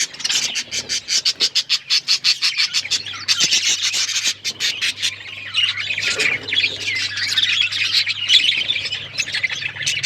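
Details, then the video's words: Pulsed, rapid clicking chirps open a stretch of budgerigar chatter that turns into continuous scratchy warbling and squawks from several birds, a low hum running underneath. "Budgies chirping sounds make me happy"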